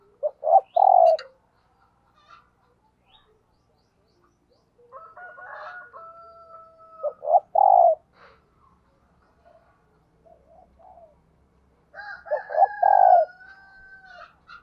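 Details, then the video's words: Thúc gù cooing from a decoy spotted dove: three phrases of short coos ending in a long hoarse coo, spaced several seconds apart, with long clear whistled notes from another bird between them. "Tiếng Chim Cu Gáy Thúc Gù - Chim Cu Mồi"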